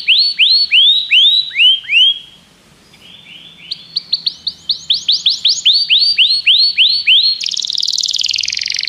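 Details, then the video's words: Common canary song with repeated rising whistled sweeps, a soft pause, then faster swept notes and a closing buzzy high trill. "Canários cantam"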